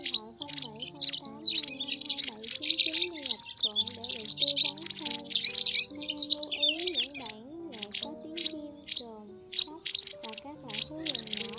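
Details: White wagtail calls used as a lure recording for net-trapping migrating birds: sharp, high chirps tumbling over one another in dense bursts, set above a steady, lower tonal melody running underneath.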